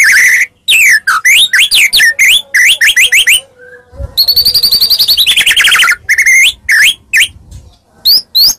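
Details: Medan white-rumped shama singing a fighting lure: rhythmic falling whistles in quick series, then a long sustained buzzy trill that sags in pitch, ending in scattered sharp notes.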